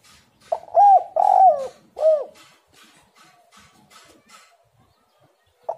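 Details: Spotted dove cooing as a lure recording meant to get other doves calling: three soft, low, arched coo notes in quick succession, then faint clicking sounds and a final short coo.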